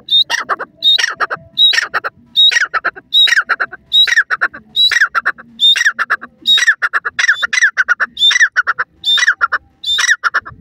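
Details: Francolin, known locally as teetar, giving a loud series of harsh, rasping bursts, each opening with a short high whistled note, repeated roughly every 0.8 seconds in a steady rhythm.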